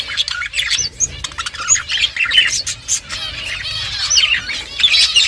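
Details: Colourful pet budgies chattering as they eat, a steady mix of bright warbled chirps, short whistled squeaks and rising notes, overlapping from several birds.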